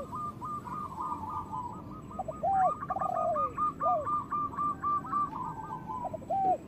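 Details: Zebra dove, local type, singing to stimulate lazy doves to call and breed: quick chain of clipped cooing notes, several overlapping callers, occasional lower drawn-out coo, faint steady hum.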